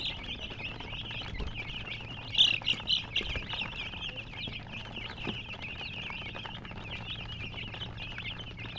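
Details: Chicken chicks chirping in a dense, continuous chorus of high, thin peeps, with a louder burst of sharp cheeps partway through and low thumps and handling noise underneath.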